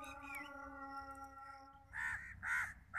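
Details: Pet long-tailed shrike, a hand-reared chick, bursting into three loud harsh grating calls about half a second apart after a steady droning tone fades.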